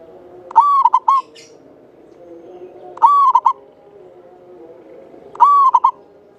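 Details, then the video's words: Local Java zebra dove singing steadily, prized for a long, clear voice and used as a lure bird: a drawn-out coo followed by two clipped notes, repeated about every two and a half seconds, three times, with soft low background tones. "Perkutut lokal jawa gacor buat pancingan suara panjang bening"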